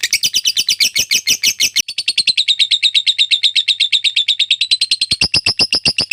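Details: Lovebird ngekek panjang, a long rattling chatter used for tutoring other birds: quick shrill pulses, about eight per second, shifting lower after two seconds, ending in louder, harsher notes.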